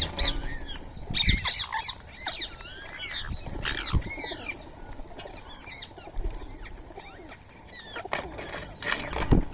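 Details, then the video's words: Several free-living rose-ringed parakeets calling while they feed on soaked rice and corn early on a March morning. Rapid, grating, arched squawks overlap, broken by bursts of wing flapping and knocks. "Indian Ringneck Parrot Feeding | Natural Bird Sounds"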